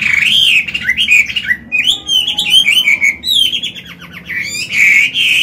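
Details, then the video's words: Loud, varied song of a mature Chinese hwamei with forest-style voice, played to train young caged birds: continuous warbled whistles, slurred rises and falls, with a harsher rattled phrase in the middle. "Họa mi già giọng cực hay, luyện bổi, kích trống hót hay"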